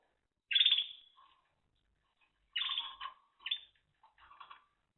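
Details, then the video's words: Singing Timbrado canary, 2023: a loud rich rolling phrase fading out, a pause, then further buzzy trilled phrases mixed with lower warbled notes, quieter toward the end. "Timbrados Canary"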